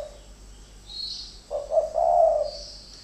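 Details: Spotted dove, one of two decoy birds fighting in captivity, gives a single husky coo phrase: two quick short notes, then a longer rolling coo. Faint high chirps come before and after.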